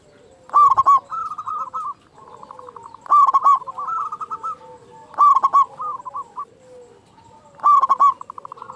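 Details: Frequent-calling local zebra dove with a powerful voice, used as a lure for other doves. Bursts of stuttering low pulses recur about every two and a half seconds, each trailed by rippling purring coos and faint background dove trills.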